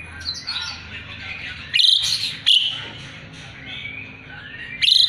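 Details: Asian pied starling singing energetically as a tutor for magpie-robins: a rough, scratchy warble broken by sharp, loud grating bursts.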